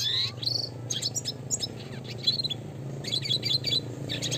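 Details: Red siskin (Spinus cucullatus) song for bird training: rapid high twittering phrases with sweet whistles and buzzy trills, in bursts every second or so, over a steady low hum.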